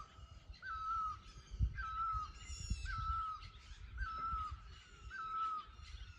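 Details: Bird giving a mating call in a forest: a clear whistled note that dips slightly, repeated about every second and a quarter, over a low rumbling background.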